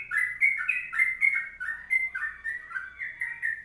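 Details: Fast, ringing warble from a sooty-headed bulbul singing long 'ropelan panjang' phrases, with clear whistled notes sliding up and down, about four each second.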